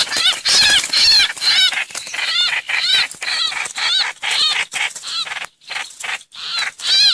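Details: Streak-eared bulbul lure recording: rapid series of bright, chattering, slurred notes with arching harmonics, repeated about twice per second in uneven bursts, loud and close.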